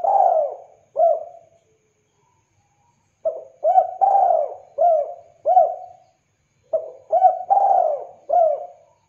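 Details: Spotted dove cooing clearly, a call meant for luring and tutoring other doves: low, mellow coo phrases of several notes each, repeated three times with short gaps between them.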